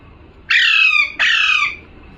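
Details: Two harsh, screechy parrot squawks, each lasting about half a second, given one right after the other in a quiet room.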